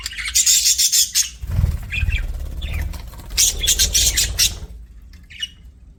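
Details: Chirping budgies give two loud bouts of scratchy, rapidly repeated squawks separated by a lull with low rumbling background noise, then a few faint chirps.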